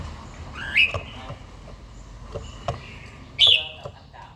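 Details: Red-whiskered bulbul, an older captive bird with a forest-type voice, in morning singing practice. Two separate loud whistled notes, each sliding upward, stand apart over soft background hiss and a few clicks.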